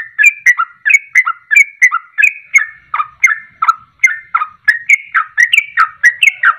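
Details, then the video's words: Sooty-headed bulbul singing rapid 'ropelan' song as bait to make other birds sing; steady run of paired gurgling whistles, roughly one pair every two-thirds of a second, unbroken. "Ropelan Trucuk Ini Ampuh Untuk Pancingan Langsung Pada Ikut Ropel"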